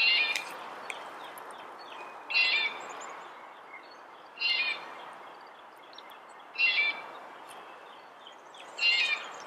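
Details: Red-bellied woodpecker calling: a short, harsh, slightly rolling note repeated about every two seconds, five times, over a soft background hiss.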